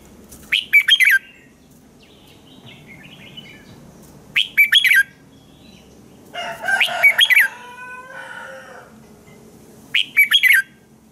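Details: Red-whiskered bulbul singing in the morning as a training lure for other bulbuls: repeated crisp phrases of several fast whistled notes, plus a longer, rougher, harmonic-rich call in the middle.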